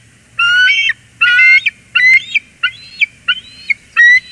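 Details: A mated pair of bald eagles exchanging a loud greeting at Port Tobacco, USA, 14 January 2021: six shrill, piping, slightly rising notes, each about half a second, delivered roughly once per second.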